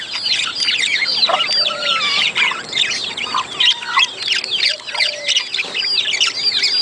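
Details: Budgerigar chatter intended to trigger mating: nonstop overlapping twitters and curling chirps, with occasional lower slurred whistles beneath.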